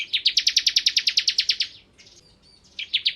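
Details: Bar-winged prinia of the crystal form (ciblek kristal) in busy 'nembak ngebren' song: a long fast string of about sixteen shrill chirps, a short lull, then the series restarts.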